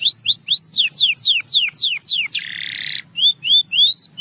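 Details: Russian singing canary whose song is meant to attract other canaries: bright downward-sweeping whistles repeated about four per second, then a brief buzzy burst, then soft rising slurred notes.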